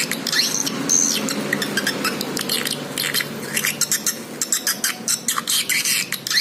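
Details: Swiftlet lure call used to attract swiftlets: dense, chattering high twitters and clicks, some sharp buzzy chirps, and a busy stutter of rapid notes toward the end, over a steady low background hum.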